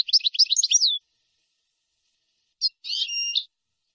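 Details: Nahrat and taqasim song of a European goldfinch, recorded to teach young birds: a fast tinkling trill ending in a downslur, then after a gap a single chirp and a buzzy note with a held whistle. Silent background.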